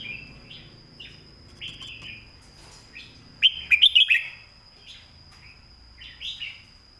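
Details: Red-whiskered bulbul master song meant for teaching other birds. It has soft slurred phrases at first, then a loud burst of rapid sharp notes near three and a half seconds, then more mellow warbles. A steady thin tone persists.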